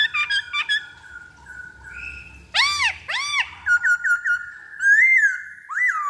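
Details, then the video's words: Black-throated laughingthrush song used as a lure for other birds: clear whistled notes, loud arched upslurred-downslurred whistles repeated twice, then steady level whistles and a rising-falling phrase near the end, fairly quiet background. "Pancingan Poksay Hongkong Paling Ampuh"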